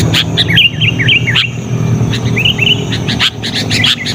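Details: Loud sooty-headed bulbul luring wild bulbuls: short bouncy phrases of looping, rising-and-falling chirps, repeated in two groups, with scattered clicks and a steady low hum in the background.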